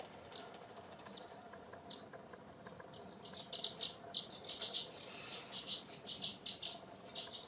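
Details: Eurasian crag martins at Penha Garcia, Portugal, give quiet, high, clipped chirps. Sparse at first, they grow into a busier, irregular run of sharp twitters in the second half, over faint background noise.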